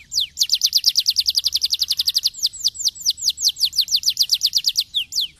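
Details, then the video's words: Singing canary, used to stimulate other canaries into song: a fast trill of sharp high notes repeated about seven times a second, then slowing into broader swooping notes, over a faint low hum. "Canarios poderosos para estimular el sonido del canto de los pájaros"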